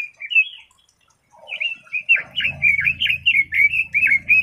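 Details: A red-billed leiothrix gives a short whistled phrase, falls silent briefly, then launches into a fast, lively string of warbling notes over a faint low hum.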